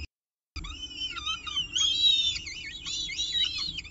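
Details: Peregrine falcons at a nest, filmed by nestcam at CSU Orange during the evening meal at 6:51 pm on October 18, 2018, give shrill, wavering wails that rise and fall, voices overlapping almost without a break after a brief silence.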